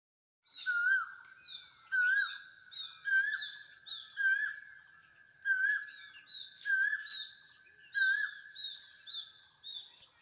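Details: A cuckoo singing before rain repeats a clear, hooked whistle about once a second, steady in pitch, while other birds chatter in higher, buzzier notes behind it.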